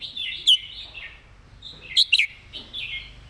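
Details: Red-whiskered bulbul model song for teaching birds: warm warbled phrases with a single loud sharp note early on, then a pair of bright ringing notes and soft warbling to close.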